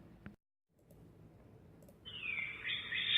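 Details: Great horned owl; begging call; young owl signalling hunger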